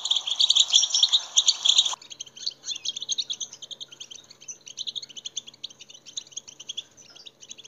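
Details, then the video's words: European goldfinch song played to stimulate caged goldfinches: two seconds of loud dense twittering, then a softer run of rapid, evenly spaced chirps and tinkling notes. "muhteşem saka huylandırma 2021"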